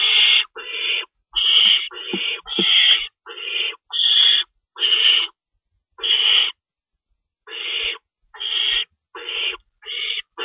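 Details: Feeding time in an owl nest before dawn, March 25, 2012, with rabbits stored in the pantry. A long series of about thirteen rasping, hissy screeches comes at an uneven pace, with a longer pause near the middle.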